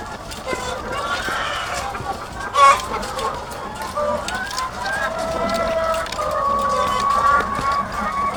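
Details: Thousands of egg-laying chickens in a farm house, calling together as a constant wash of overlapping clucks and longer wavering squawks, one sharp loud cackle standing out near the middle.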